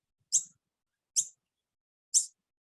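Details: A baby Noisy Miner perched on a branch, following its mother and begging for food, gives high, sharp 'tip' notes, about one each second, with short quiet gaps between.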